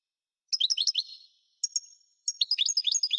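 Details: Parva-subspecies European goldfinch in song. Quick, bright, high twittering bursts alternate with a thin sustained tone. After a short pause a second pair of notes leads into renewed rapid chattering.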